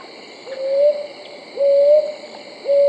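Brown Hawk-Owl giving soft, rising hoots about once a second, each note swelling upward, over a steady high hum of night insects.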